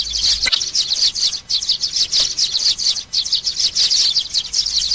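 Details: Calls of young sparrows, played to draw birds down to glue traps. Rapid bursts of thin, high chirps tumble over one another, with a few short gaps and some clicking.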